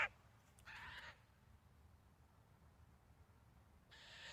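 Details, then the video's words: Eurasian jay (Garrulus glandarius) giving harsh, rasping screeches, one clipped at the start, then two more about three seconds apart, over a low background rumble. "Eurasian Jay sounds"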